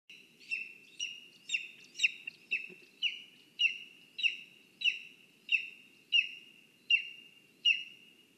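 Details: Lesser spotted eagle (Clanga pomarina) at its nest in a spruce in Zemgale, Latvia, gives about a dozen high, sharp yelping notes, each dropping slightly in pitch, roughly every two-thirds of a second, over a faint low rumble.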